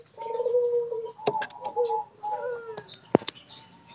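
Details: A caged group of spotted doves in daily care: a drawn-out low coo, then shorter cooing phrases, one ending in a slightly rising note, broken by sharp clicks and wing-like rustles.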